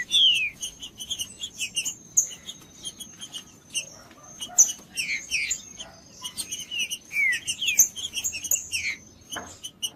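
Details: Green-winged saltator song from the forest, played to warm up a silent caged bird. Short descending whistles and chirpy notes come in quick irregular clusters, with a sustained high ringing tone behind them.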